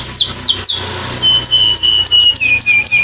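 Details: A canary on an Indonesian masteran training recording gives three quick falling whistles followed by long, pure, steady held tones broken by short chips, with a faint low hum.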